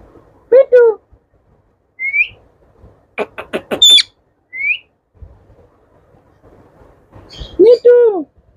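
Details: Talking Indian ringneck parakeets, pets in yellow, blue and green. Arched harmonic speech-like calls bracket short upslurred whistles. A rapid series of clicks runs in the middle, with quiet pauses between the phrases.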